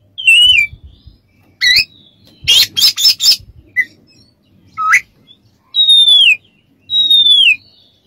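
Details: Oriental magpie-robin song used as a masteran recording for training other birds and as therapy: clean whistled notes sliding downward, upturned whistles, then a burst of harsh buzzy rasps, with pauses between phrases.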